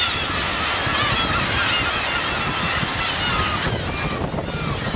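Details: Black-tailed gull parents and chicks on the Kurosaki coast of Teuri Island, Hokkaido, Japan, 13 June 2021: many faint, nasal, mewing calls overlap continuously above a steady roar of surf and wind.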